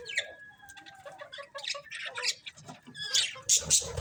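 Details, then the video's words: Several colourful budgerigars chirping: dense, rapid, high-pitched chatter of overlapping squeaky chirps and short scratchy squawks, continuous throughout, with louder bright bursts toward the end. "Beautiful Colourful Budgies Chirping Sounds"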